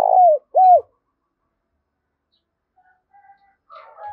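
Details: Spotted dove coo used to provoke rivals to fight. Two arched, downward-falling hooting notes open the clip, followed by silence and then weak distant chirps.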